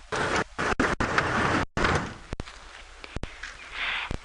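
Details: Bursts of rattling and sliding noise, then sharp knocks and clicks, like a door and footsteps on a safari vehicle; no animal calls.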